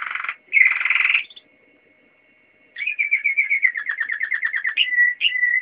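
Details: Singing Waterslager canary: a rich bubbling burst, a pause, then a long rapid string of rolling, water-like warbled notes falling slightly in pitch, ending in clear sustained whistles.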